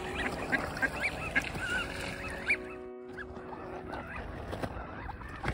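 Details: Several mallards and other ducks, displaying on 6 March, give a rapid jumble of nasal, honking quacks, calling over one another, with a steady low hum in the background.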